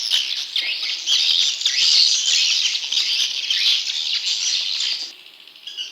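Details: Swiftlet chick calls used to draw in wild young swiftlets, a loud, scratchy high chatter that continues steadily, then drops away to quieter chirps at the end.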